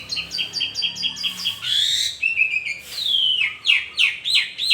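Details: Asian pied starling in morning song, starting with a quick series of repeated chipping notes, then buzzy rasping bursts and clear downslurred whistles in a rich, varied sequence.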